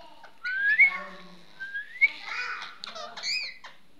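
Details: Pet Indian ringneck parrot talking: a quiet run of speech-like, harmonic-rich syllables mixed with bright rising whistles, two sharp upward-sweeping whistles standing out, then a few short chattering notes near the end.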